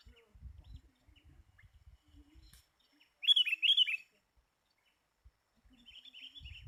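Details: Sooty-headed bulbul heard during bird trapping with a lure, its calling described as very fierce: one brief burst of two or three sharp, high chirps lasting under a second, otherwise near-silence with faint low thumps.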